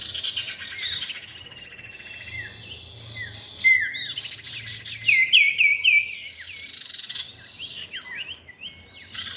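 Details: Common iora, male and female, used as a lure sound: sharp rising and falling whistled notes, a quick run of four upswept whistles midway, over a steady high buzzing insect-like drone.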